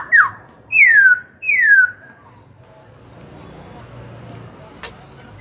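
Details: Young caged black-throated laughingthrush, its song meant to stir rival birds to fight and coach young birds: one sharp falling whistle, then two long loud descending slurs, followed by faint room noise and a click.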